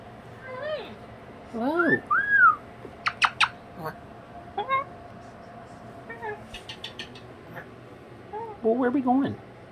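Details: Pet cockatoo indoors on a cold sleety day, producing a varied run of squawky, talk-like warbling notes, sharp clicks and short bursts, with quieter gaps and a final cluster of wavering calls.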